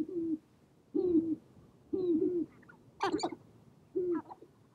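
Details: Sharp-tailed grouse on a spring prairie lek, where males dance and fight for females; low, slightly wavering hoots about once a second, with a brief higher chattering note among them.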